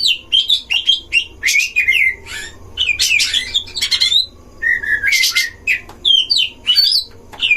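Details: Oriental magpie-robin in a breeding cage, song played as a lure to provoke other magpie-robins: loud varied phrases of clear whistles, rising and falling notes mixed with harsh buzzy bursts, delivered in rapid dense sequence.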